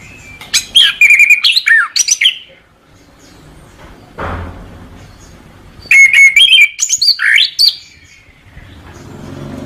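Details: Orange-headed thrush singing two bursts of fast, warbled whistles and slurred notes, each about two seconds long, separated by a pause with a soft thump.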